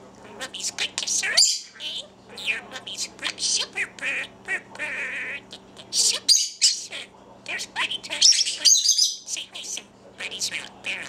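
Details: A pet male budgerigar, found very young in a hospital parking lot, talks in a fast, scratchy murmur of mimicked words mixed with chirps and squeaks, saying phrases such as "Superbird" and "Mommy's good kisser."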